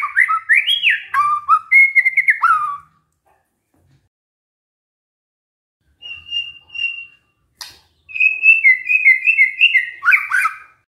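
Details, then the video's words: Shama copying canary song: a burst of looping descending whistles, silence, a short steady whistle, then a rolling chain of rising and falling notes ending in a buzzy flourish. "murai batu bongkar isian KENARI"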